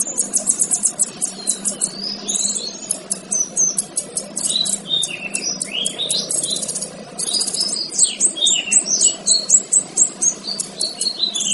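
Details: Male kinoy song meant as a model for other birds: long bursts of rapid high chattering and twittering, with falling slurred whistles and closing runs of quick, evenly spaced sharp notes.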